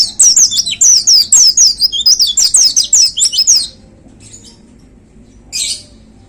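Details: Caged white-eye hung on a contest pole, singing in the bold "tembakan" (shooting) style: a fast run of high, sweeping whistled notes about two per second for nearly four seconds, then quiet with one later squeaky burst.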